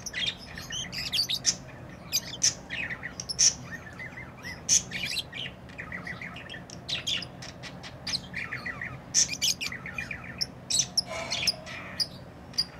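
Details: Chirping from tame lovebirds kept as pets: a continuous stream of quick, thin, high chirps and clicks with brief squawks, irregularly spaced over a faint indoor hum.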